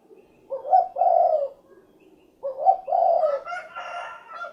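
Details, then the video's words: Spotted dove cooing: two low, hoarse coo phrases about two seconds apart, each a short stuttering lead-in followed by a longer drawn-out note, with some higher tonal sounds overlapping the end. "SUARA BURUNG DERKUKU / CUKURUKUK KUK GERUK"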